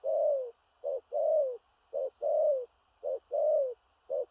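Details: Spotted dove in the strong 'thổ rặc' cooing style, low mellow hoots alternating a brief clipped note with a drawn-out, gently falling one, repeated regularly over four seconds against a quiet background.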